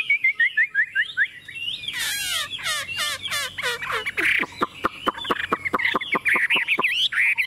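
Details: Tame Chinese hwamei on a table, singing a mix of slurred whistles, harsh chattering bursts and rapid clicking notes, ending in loud varied whistled phrases.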